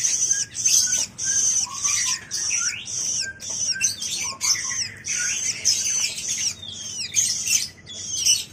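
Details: Morning calls of a young long-tailed shrike: a busy series of scratchy, high-pitched rasping bursts and short squeaky slurs. Each burst lasts under a second, with brief gaps between them.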